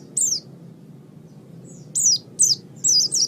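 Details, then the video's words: High, thin chirping of an Oriental white-eye, meant as training song for other birds: single sharply falling notes, then a quick cluster of three or four twittering notes. "Ocehan Burung Pleci"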